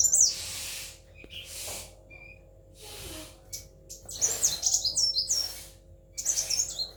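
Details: Caged kolibri wulung sunbird giving short bursts of high, thin twittering. The bursts are split by quiet gaps with soft rustling, and a steady low hum runs underneath.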